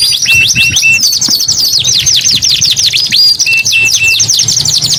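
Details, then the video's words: Continuous high-pitched canary song: quick downward-slurred notes run into fast trills, broken twice by short flat whistles, all delivered at a steady, loud pace. "KENARI GACOR 2 IN 1 | CANARY SINGING"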